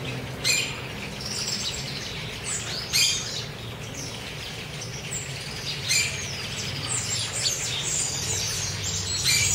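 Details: Chopi blackbirds eating at liberty in Cuiabá, Mato Grosso, Brazil: sharp loud chirps recur roughly every two and a half to three seconds among busy whistled chatter, backed by a persistent low hum.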